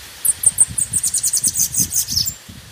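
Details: Sibite, the Bananaquit, singing a warm-up lure song: a quick burst of sharp, high, thin notes tumbling over about two seconds, with soft low rustling noise beneath.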